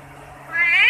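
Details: Talking Kashmiri rose-ringed parakeet, a green parrot, produces one loud rising, nasal, speech-like syllable that swells abruptly after a quiet start, over a faint steady low hum.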